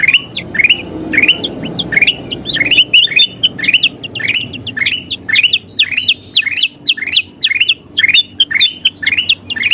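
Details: Bulbul known locally as kutilang emas, singing gacor for training birds: long run of quick, bright chirping notes that climb and dip, phrases repeated about twice a second, a soft murmur underneath at the start.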